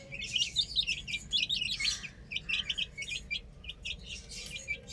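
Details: A flock of chicks playing on a roof chirps busily: dense clusters of shrill, high peeps crowd together, easing slightly toward the end, with low hum behind.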